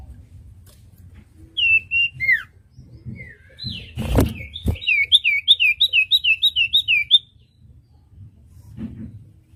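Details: Common iora (cipoh) on a master recording meant to teach young caged songbirds to sing. A run of sharp, down-slurred whistled notes repeats in quick succession, about fifteen in a row. A loud knock sounds partway through.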